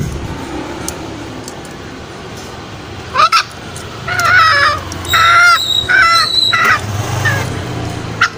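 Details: Green junglefowl lure call recording, used in the forest to draw wild males out for snare trapping: after quiet background hiss, a short double note, then several harsh, honking harmonic calls in bursts about a second apart, ending with a brief note.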